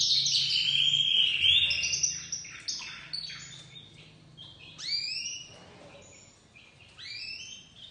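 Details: Young white crested domestic canary starting to sing, opening with a loud rapid trill, then softer scattered chirps and rising whistled notes, growing quieter toward the end.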